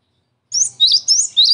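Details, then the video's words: Cinereous tit (gelatik batu) recording used as a lure for trapping, with four high two-part whistled notes, each sliding down then rising, spaced about a third of a second apart after a brief silence. "SUARA GELATIK BATU PIKAT AMPUH BUAT PANCINGAN DAN MASTERAN"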